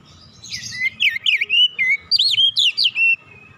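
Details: Oriental magpie-robin song played to spur other birds into singing: a rough burst opens, followed by about eight sharp whistled notes that rise and fall, closing on a level whistle.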